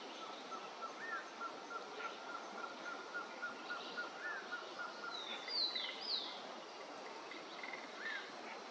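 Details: Mottled Piculet in Argentina: two or three high, thin, squeaky notes in quick succession over a steady background hiss, with a faint even tone and soft scattered chirps.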